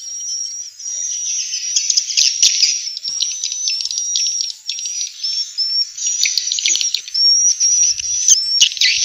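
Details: Vietnamese swiftlet calls meant to lure swiftlets into bird houses: a continuous high twittering chorus with thin whistled streaks and rapid buzzy chirps, softer at the start.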